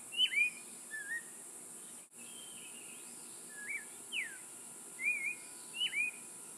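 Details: Clay-colored thrush in Costa Rica in May 2013, singing short, clear, slurred whistled phrases about once a second, some rising and some falling, over a steady high insect-like hiss.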